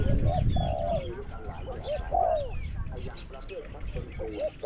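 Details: Spotted dove in a decoy session against a wild bird, voice ranging small to medium; a string of quick coos ending in a long descending note, with faint chirps and background rumble.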